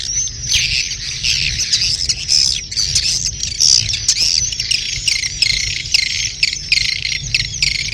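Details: Swiftlet mating call of the birahi beranak type: many birds trill and chitter in rapid, buzzy bursts that pulse every fraction of a second over a faint low hum.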